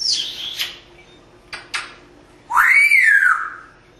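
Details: Pet parrot in Las Vegas, Nevada, sitting at a window and making sound effects: a falling squeal, two brief clicks, then a loud clear whistle that rises, holds and slides down over about a second, rich in overtones, indoors.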